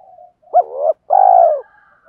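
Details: Decoy spotted dove calling to draw in wild doves: soft coos, then a loud upward-jumping note sliding into a wavering coo, a brief pause, and a long, steady, deep coo that fades.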